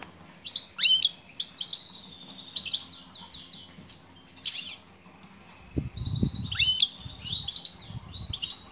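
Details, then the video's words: Female European goldfinch calling toward a male: clusters of high, ringing twitters and buzzy chirps with short gaps, plus a brief low rumbling thump partway through. "بتبتات أنثى مقنين أسمعها مقنينك وشاهد ماذا سيفعل حينما يسمع نداء الأنثى"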